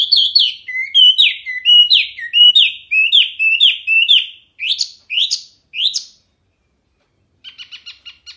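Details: Hwamei (Wambi Mini), a masteran tutor recording of constant, loud, clear singing: repeated slurred whistled notes in a bouncing series, then rising notes, a pause and a soft rapid chatter at the end.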